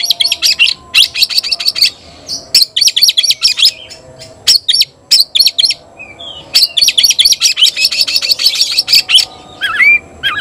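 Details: Kacer, the Oriental magpie-robin, shouting to challenge a rival: rattling series of harsh, high, clipped notes in repeated bursts, with brief pauses, then a long rapid chatter and a short rising whistle at the end.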